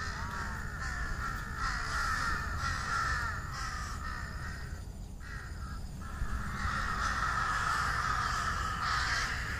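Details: Evening crow gathering in treetops at their nesting site before dark: many birds cawing at once in rough, rapid overlapping bursts, easing briefly midway then swelling again.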